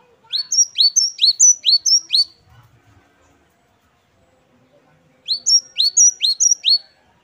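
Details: Singing great tit, known as gelatik batu wingko, in the 'wucit-wucit kristal' style: bright, sharp repeated double notes delivered in fast runs of five to six, with a three-second pause and faint low rustling between runs.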